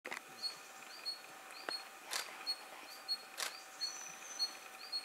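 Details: Taiga flycatcher in Thailand gives short, thin, high upslurred notes about every half second, with camera shutter clicks and soft background hiss.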